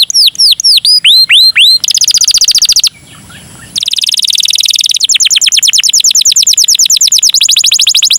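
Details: Canary performing a cengkok mewah song, serving as a lure for other canaries: curling whistled notes, a buzzy fast trill, a brief near-silent pause, then long runs of rapid, evenly repeated syllables.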